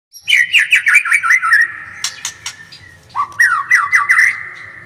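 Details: White-rumped shama song: loud clear whistled phrases with rapid repeated notes, a run of trilled syllables, then a second phrase of rising whistles repeated in quick succession, with sharp clicks between.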